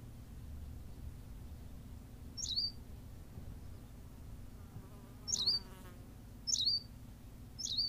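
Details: Berthelot's pipit, La Gomera, Canary Islands, calling with four sharp, high chirps at uneven intervals, while an insect's buzzing drone passes briefly in the middle, over low rumble.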